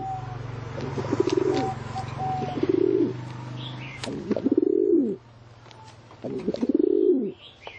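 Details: Pigeon cooing: four low, throaty, arching coos with a purring, pulsed texture, each about a second long and spaced roughly two seconds apart. Faint higher chirps and a steady low hum sit in the background.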